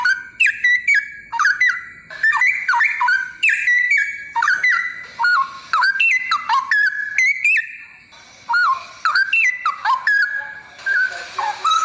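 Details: Straw-headed bulbul singing a rich, loud, bubbling warble of liquid whistled phrases with sliding notes, delivered in bursts separated by short pauses.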